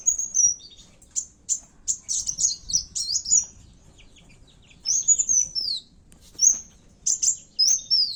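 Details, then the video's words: Kowul call used as a lure for fighting birds: bursts of high, sharp chirps and quick slurred whistles in irregular clusters, separated by short pauses, over faint background rustle. "pancingan suara burung kowul tarung"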